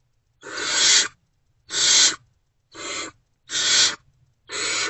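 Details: Nestling Great horned owls, unfed, in an owl box on an early March 2024 morning react to a returning adult: five drawn-out rasping hiss calls, evenly spaced with silent gaps.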